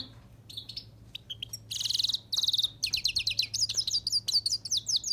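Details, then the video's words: Himalayan goldfinch opening with a few thin whistled notes, then bursting into dense buzzy twitters and a fast run of liquid, high-pitched chirps repeated nearly twice a second. "Hemalaya goldfinch"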